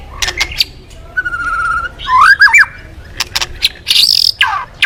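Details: Lively white-rumped shama song, a lure for making other birds sing: a quick whistled trill, then loud looping whistles, sharp clicks and a short harsh burst.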